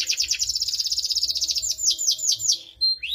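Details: Singing canary in the Indonesian 'gacor cengkok mewah' style. It gives a fast, high, rattling trill that slows into separate downward-sweeping notes, then ends with a couple of rising whistles.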